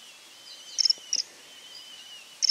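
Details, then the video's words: Common kingfisher calling: three short, piercing, very high whistled notes, each a quick double or triple pip, spaced irregularly over a soft background hiss. "Vögel und ihre Stimmen - Eisvogel"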